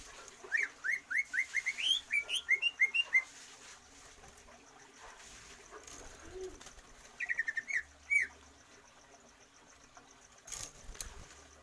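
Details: Greater green leafbird, stamina training without free-flight exercise for longer breath. A quick run of about a dozen rising whistled notes opens, then a long hushed gap, then a shorter burst of similar notes against soft background hiss.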